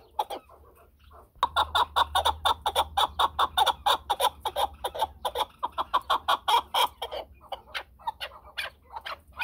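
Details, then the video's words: A chukar partridge starts after a short quiet gap, then delivers a continuous stream of loud, clipped clucks at an even, quick pace. "chakor ki awaz //چکور کی اواز"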